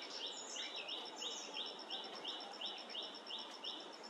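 Streaked spiderhunter giving a fast, even series of sharp, high chipping notes, about three per second, over a thin steady insect-like whine.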